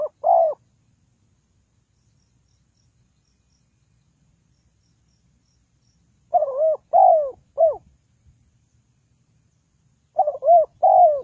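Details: Spotted dove calling as a decoy for bird trapping: low, mellow coos, each arching up then sliding down. A single coo opens, then a long silence, then a three-note phrase and a two-note phrase, with no other sounds.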